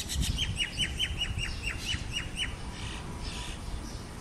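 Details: A male house sparrow in a mango tree gives a quick run of harsh, bright chirps, about four a second, fading after two and a half seconds over a low background rumble.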